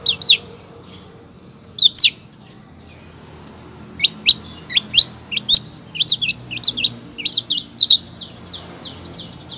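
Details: Long-tailed shrike female calling a male: a few sharp high notes, a pause, then a quickening run of clipped, squeaky chips and short trills.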